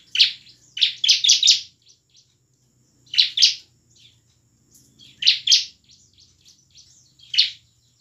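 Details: Bar-winged prinia in full, emotional song, played to prompt reluctant captive birds to sing; clusters of harsh, scratchy chirps repeated every two seconds or so, over a faint low hum.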